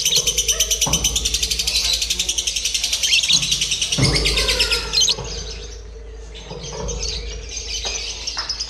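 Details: Lovebird during a practice singing contest for mental training: dense, shrill chattering pulses for the first five seconds, then softer broken chirps, with thumps and people's voices in between.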